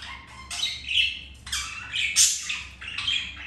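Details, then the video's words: Mating budgerigars, with a white-grey budgie having earlier turned the male away; grating squawks and rasping warbles arrive in about four loud bursts, some with thin whistled tones inside, over low background hum. "Budgies mating"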